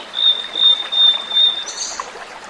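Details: Blue-and-white Flycatcher in the wild, giving a long, level, pure whistle broken into several pulses over about one and a half seconds, followed by a fainter higher note, against steady low hiss.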